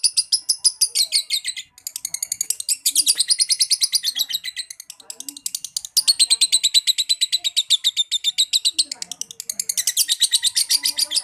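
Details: Lovebird singing in the Indonesian konslet liyer-liyer style, a long-duration song: a continuous, very rapid, shrill twittering chatter of fast repeated high notes, broken by brief pauses near two and six seconds.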